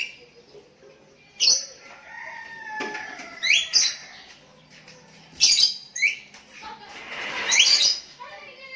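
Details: Sooty-headed bulbul calling to a rival as other bulbuls respond: a sharp note, then a soft low whistle, then rising whistled slurs and harsh raspy bursts, spaced irregularly over several seconds.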